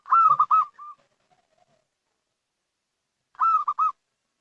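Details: A local zebra dove gives two short rolling bursts of rapid, strong coos for luring, the first trailing into soft notes, with silence between.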